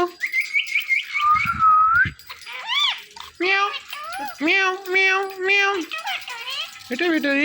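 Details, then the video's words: Hand-tame pet talking parrot, speaking while dancing joyfully: a high whistled trill, then a long rising-falling whistle, followed by a run of harmonic, voice-like wavering calls and short squawky phrases indoors. "My So Sweet Parrot Speaking and Dancing Joyfully"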